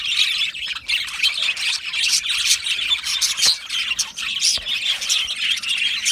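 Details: Many Australian budgies in an aviary colony chirping and squawking, a dense warbling chatter punctuated by harsher short squawks and brief clicks.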